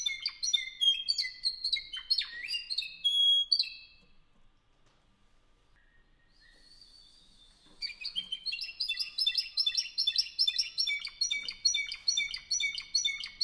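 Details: Spanish Timbrado canary from Albacete, Spain, born 2015, sings fast trilled phrases, then falls nearly silent with a faint soft note. It then bursts into a long, rapid series of evenly repeated ringing notes, roughly two per second.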